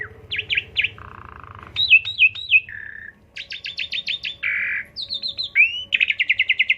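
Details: Asian pied starling song used as a lure to stimulate another bird into singing: a loud, varied run of whistled slurs, buzzy drawn-out notes and fast trilled stutters, changing phrase every second or so.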